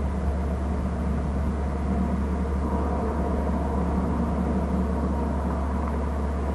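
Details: Constant low engine rumble with a deep steady hum and no animal calls.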